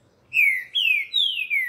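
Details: Captive male green-winged saltator set outside in morning sun in Recife, Brazil, giving three loud, clear whistled phrases, each sliding downward, with a fourth beginning at the end.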